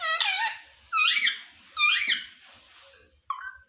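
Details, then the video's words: Pet parakeet indoors screeches three loud, harsh, arching squawks about one second apart, then gives a short thin whistle at the end. "Parrot talking sita ram || sita ram bolne wala mitthu || ये मिट्ठू तो सीता-राम बोलता है"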